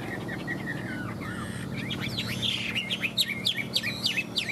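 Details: Captive Chinese hwamei in peak singing form delivers a burst of rapid, varied high whistled and slurred notes after a quieter opening, over a steady low hum and background murmur.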